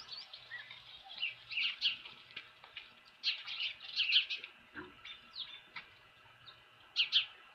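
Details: Osprey at its ranch nest with a fish, 24 April 2018, 4:19 PM; sharp, high chirping calls in short clustered bursts, loudest bursts around the start, middle and end, with faint low background hum.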